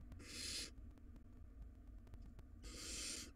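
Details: Wild barn owl nestlings in a monitored nest box, tugging at a very large rodent. Two long, harsh, noisy hisses, the second starting after a quiet gap of about two seconds, over steady low rumble and clicks.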